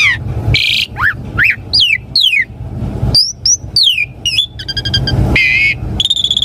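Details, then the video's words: Asian pied starling song, played so that caged birds reply and sing: sharp downslurred whistles, rising sweeps, buzzy notes and a fast rattling series, delivered in a dense, varied stream. "Pancingan Jalak Suren Auto RESPON Langsung NYAUT - Masteran Suara Burung Jalak Agar Gacor Full Isian"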